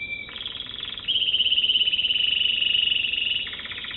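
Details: American Singer canary runs a buzzy low roll, then switches to a strong, bright, fast-pulsed trill lasting over two seconds before returning to a rattling roll.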